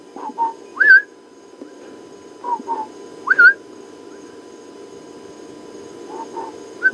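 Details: Two Southern Boubous duet in the distance on an overcast, chilly (about 17°C) morning: rising, ringing whistles answered by short mellow notes, repeating every few seconds over a low vehicle hum.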